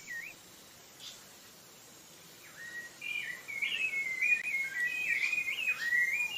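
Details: Sabiá-laranjeira (rufous-bellied thrush) of Brazil. A few faint notes are followed by a sustained stretch of warbled, whistled phrases that rise and dip, with a steady background hiss throughout.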